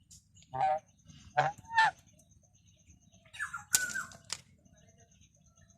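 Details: Goose calling in a run of three short, reedy honks in under two seconds. A pause follows, then a longer, harsher honk with a squealing rise. Faint high tones continue in the background.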